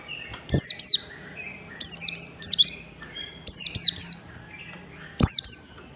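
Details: Standard ngalas song of an oriental white-eye, meant to provoke other white-eyes to sing: frequent high, thin, downslurred notes in pairs and triplets, with soft knocking thuds in between.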